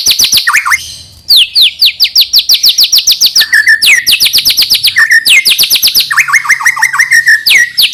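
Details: White-rumped shama song for luring young birds to sing: long rapid trains of high descending whistles and sharp clicks, with occasional lower slurred phrases, almost continuous throughout.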